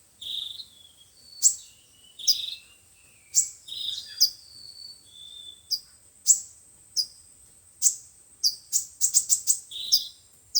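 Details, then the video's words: Five-colored and seven-colored sunbirds singing for a trapping lure: high chirps, short descending notes and quick stacked clicks, ending in a rapid flurry of thin notes over a quiet background. "Tiếng chim hút mật 5 màu và 7 màu"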